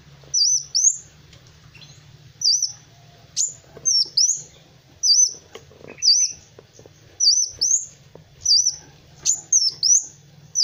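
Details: Kolibri wulung sunbird singing energetically as training song for other cage birds: repeated bursts of piercing, high, twisting whistles, often two or three notes run together, recurring every second or so over a soft low drone.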